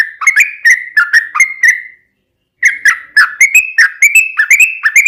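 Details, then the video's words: Sooty-headed bulbul giving a lure song to excite other bulbuls: a two-second burst of quick descending whistles, then a silent gap, then another fast run of clear notes climbing slightly in pitch. "trucukan ropel panjang buat PANCINGAN TRUCUKAN agar bunyi"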